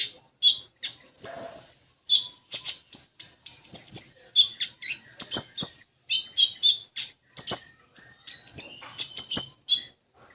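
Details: Common iora in full chattering song meant to make a young bird sing at once: dense mix of high chirps, short whistled slurs and sharp clicking notes over ten seconds.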